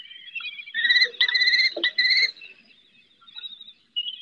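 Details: Female common kestrel on a roof at Riet Vell reserve in the Ebro Delta, calling her eldest chick during its first flights; loud, even, whining harmonic notes, some drawn out, some clipped, then fainter notes trailing off.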